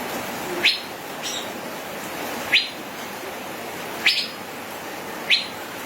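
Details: Male Asian fairy-bluebird (cucak biru) in gacor ropel song, with four loud, steep upward-slurred notes spread roughly 1.5 seconds apart, plus softer chips between them and a steady noisy background.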